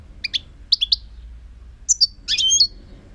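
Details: European goldfinch twittering in quick high-pitched clusters of chirps, paired and tripled notes tumbling together, ending in a denser liquid flourish; background otherwise quiet.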